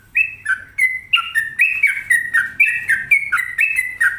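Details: Sooty-headed bulbul, called trucuk, kept at home, singing energetically: a fast, continuous run of short whistled notes stepping between two pitches, falling and rising, about three notes per second, with a faint low hum behind.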